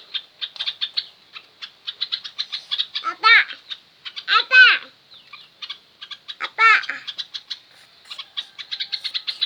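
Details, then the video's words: Yellow-vented bulbul song used as a training lure meant to make other birds answer at once: short bubbly notes sweeping up and down in three loud bursts, over a steady background of rapid high dry chirps. "Masteran burung trucukan..yang lain pasti langsung nyaut"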